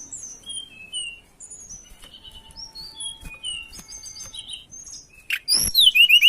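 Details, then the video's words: Tledekan songbird in breeding condition, singing to seek a rival: a scatter of thin, high, sweet whistled notes and short slurs, some rising, some falling, in irregular quick succession, ending with a loud burst of sharp, rapid chattering notes. "Pancingan Burung Tledekan Gacor Birahi Cari Lawan"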